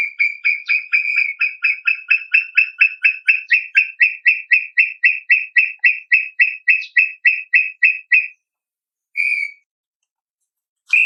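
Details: Brown tinamou (Crypturellus obsoletus) giving a long, rapid run of about thirty short, pure whistles at even pitch, nearly four per second. The notes slow slightly toward the end, then break off before one last isolated whistle. Quiet background.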